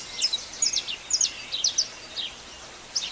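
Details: Wild birds at dawn, recorded live outdoors: faint, very high short tweets come in clusters over a steady hiss, then thin out, with one last isolated note near the end.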